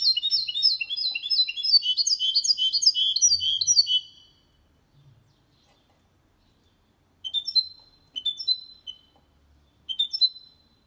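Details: Hybrid of goldfinch and canary delivering a clean song for stimulating males and tutoring young birds; a rapid, rolling stream of high twittering notes for four seconds, silence, then three short whistled phrases.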